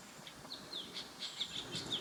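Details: Ashy drongo (Dicrurus leucophaeus) in Uttarakhand, India, in May 2016, giving quick, high chirps, about six short notes in two seconds, over faint outdoor background noise.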